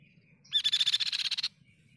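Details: Crescent-chested babbler song used as a tutor recording for training other songbirds; one rapid, bright trill of about fourteen evenly spaced notes lasting one second, opening with a clear whistled note, over faint low background hum.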